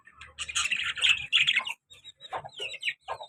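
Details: Pet lovebird pair, a colour male and a black-masked female, kept as active caged birds; dense, shrill chattering squeaks in a burst for nearly two seconds, then a few separate harsh chirps with short gaps.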